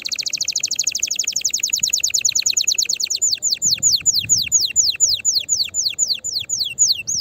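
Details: Canary in vigorous song to encourage others to sing: a very fast even trill of high notes that slows into distinct, loud, downward-swept whistles repeated steadily.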